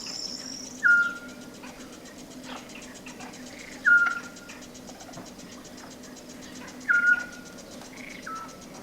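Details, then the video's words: First Eurasian scops owl of the year, at dusk in Las Villuercas, Extremadura, near water as amphibians become active: short, pure, mellow whistles about every three seconds, a fainter second bird answering farther off, steady cricket chirring. "ahí está ya el primer autillo que escuchamos este año el silbido del autillo"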